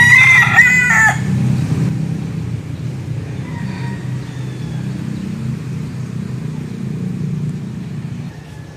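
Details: A young rooster in the Philippines gives the loud, hoarse tail of a crow in the first two seconds, crowing to assert dominance over his territory, then only a low rumble of distant traffic remains.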